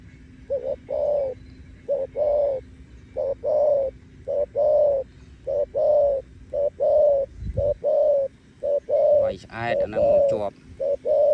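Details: Close to night a dove coos steadily, a long run of paired soft, level notes repeated about once a second, with a brief rustling noise near the end and a low background hum.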